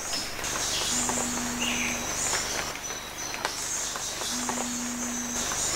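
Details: Umbrellabird at Bilsa, Ecuador, giving two deep, steady booming hums, each about a second long and three seconds apart, over a constant high whine of insects and faint bird calls.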